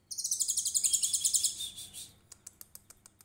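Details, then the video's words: Konin, trotol variety, singing tembakan cililin as a master recording for songbirds: a bright, rapidly pulsed shrill trill lasting under two seconds, then spaced single clicks. "KONIN TROTOL GACOR VIRAL 2021 FULL TEMBAKAN CILILIN COCOK BUAT MASTERAN"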